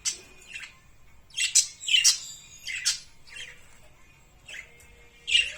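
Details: Birds chirping: short high twittering notes in loose clusters, some brief squeaky chips and a soft rising whistle near the end, faint low background hum.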